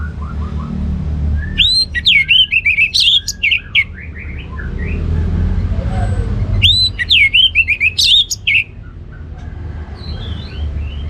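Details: Orange-headed thrush delivering loud ngeplong gacor song, used to get birds at home that are slow to sing going. Two long, rich phrases of slurred whistles and fast chips, roughly five seconds apart, over low background hum.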